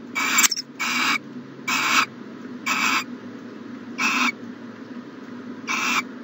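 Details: Breathy, rough screeches from an owl in a nest box on a mid-January 2020 morning. A sharp knock is heard early on, then six quarter-second hisses spaced roughly a second apart, with a low hum throughout.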